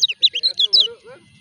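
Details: Kecial kuning, a caged bird in moult, singing: a quick run of bright chirped and slurred high notes over about a second, with a faint low voice underneath.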